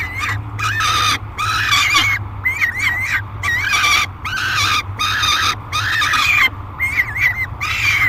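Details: Noisy, aggressive peregrine falcon screaming while being fed in a nest box at Great Spirit Bluff, July 3, 2021; a run of harsh wavering screams, some with quick up-and-down inflections, separated by brief pauses, with a constant low background rumble.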